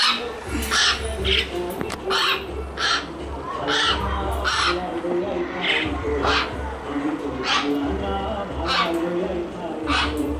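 A myna gives harsh, raspy squawks, about one or two a second, over a steady low hum and faint voices.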